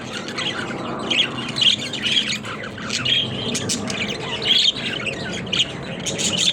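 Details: Pet budgies playing in a cage, continuous chattering warble with brief whistled squeaks and harsh squawks, louder peaks around the middle, over a steady low background murmur.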